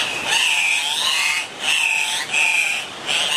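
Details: Andean cock-of-the-rock in Colombia giving four loud, harsh, nasal squawks, each about half a second with short pauses, carrying a steady high ringing tone and a rough, pig-like edge.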